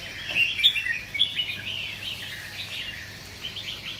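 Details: Caged red-whiskered bulbuls kept as competition songbirds: quick sharp whistled notes and twittering chirps crowd together in the first second and a half, then a softer continuous chattering carries on behind them.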